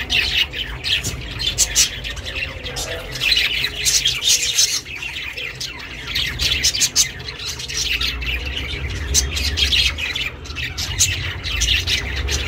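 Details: Pet budgie chirping for lone budgies: long, steady flow of rasping, high chatter and squawky chirps, almost unbroken, against a low constant hum.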